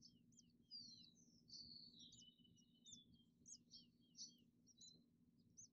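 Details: Male House Finch at a nest in a hanging basket, eight days after the first egg hatched, sounding an alarm to his young after hearing a human voice indoors; faint, high, short chirps and slurred notes repeat irregularly over a low background hum. GoPro Hero10 Black with macro lens.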